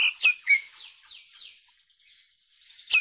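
Oriental magpie-robin song: a rapid run of bright, downslurred whistles, about four a second, with sharp high chips at the start and end.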